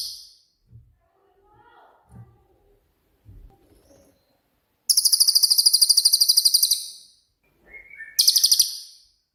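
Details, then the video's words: Cililin (pygmy tit) 'tembakan' song for tutoring songbirds: quiet knocks and soft sounds, then a long, fast, shrill pulsed trill lasting about two seconds, a short whistle, and another high trill. "BURUNG CILILIN COCOK UNTUK MASTERAN"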